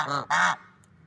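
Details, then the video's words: Loving swan pair outdoors, two quick nasal honks back to back, the second fuller and longer, then quiet. "Funny Sounds and Noises of Lovebird Swans in Nature"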